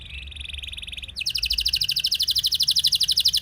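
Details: Canary in rolling song meant to set off other canaries: a soft buzzy trill, then a sudden loud, very rapid and regular high-pitched roll lasting a few seconds.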